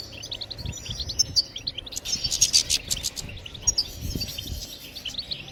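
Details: European goldfinch twittering song, used to stimulate other birds to sing: bursts of rapid, high, tinkling chirps and buzzy trills come in clusters, with a louder jangling flurry midway, over low background rumble.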